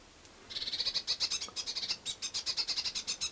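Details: At a feeder in Budapest-Csillebérc, Hungary, on New Year's Day 2011, a blue tit scolds with a long, fast run of harsh, buzzy, high-pitched churring notes lasting nearly three seconds.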